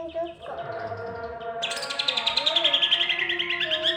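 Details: Greater green leafbird delivering "roll" and "tembak" song. A few short notes and a quieter whistled phrase give way to a sudden loud, rapid rattling run of high notes that lasts to the end.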